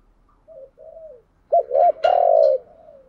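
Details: Spotted dove used as a decoy, cooing to provoke wild doves into answering and coming to fight; soft low coos at first, then a louder run of rounded notes ending in one long, drawn-out coo.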